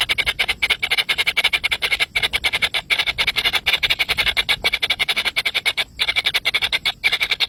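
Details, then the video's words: Three very hungry baby birds call for food with rapid, choppy high-pitched chirps, several per second, with brief gaps between bursts. "Three baby Bird is very hungry"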